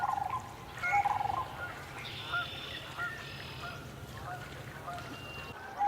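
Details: A flock of Canada geese over a swamp, some flying and others landing, possibly building a nest; scattered nasal honks at varied pitches, some doubled, over a steady low hum.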